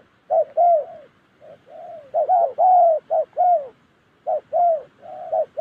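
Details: Cooing from a Đồng Ngực Chẻ spotted dove from Gia Lai in the Central Highlands of Vietnam. Mellow, slightly falling notes come in loose clusters with a brief pause near the end.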